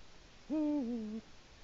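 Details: Eurasian eagle-owl at a nest in Latvia on an autumn evening, 1 October 2017 around 19:00, digging the nest bowl and calling to mark territory: one deep hoot, steady and then dropping slightly at the end, over a soft hiss.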